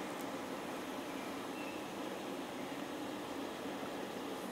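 Steady broadband rumble, like a passing train or traffic, fills the whole stretch with no animal voice.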